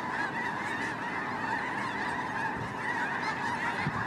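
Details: A huge migrating flock of snow geese fills the air with a steady roar of overlapping nasal, barking honks, with no pauses and no other sounds standing out.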